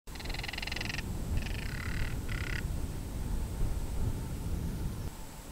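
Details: Northern Crested Caracara, a falcon, giving hollow rattling calls when disturbed during breeding season, filmed with a Canon SX70HS: three dry, rapid pulsed rattles in the first three seconds, then quiet, over steady low rumbling background noise.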